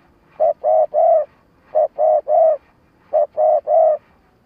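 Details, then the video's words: Spotted dove used as a lure bird for trapping, giving a stuttering coo-and-call sequence: three phrases of three low hooting notes, a short note then two longer cooing notes, repeated about every 1.4 seconds in a quiet setting. "Tiếng cu gáy mồi cà lăm gù - gáy - thúc kích bổi nhanh nổi"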